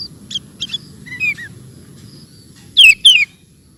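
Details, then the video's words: Sooty-headed bulbul singing lively (gacor), recorded for training cage birds. Soft bubbly chirps come first, then two loud, slurred, falling whistled notes close together near the end, over a low background rumble. "Suara Burung Kutilang Gacor Cocok Untuk Masteran"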